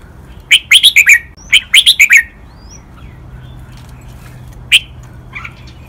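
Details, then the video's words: Captive red-whiskered bulbul, a copy model in Thai doubled '23 counted notes', master-pattern and lak wai song styles: two rapid groups of sharp chirping notes, a faint whistle, then a single clipped note. "นกกรงหัวจุก | รวมเสียงร้องเบิ้ล 23 นับดอก แม่บท ลากหวาย เพลงป่าละอู คมชัด 100% ไว้ก็อปนก"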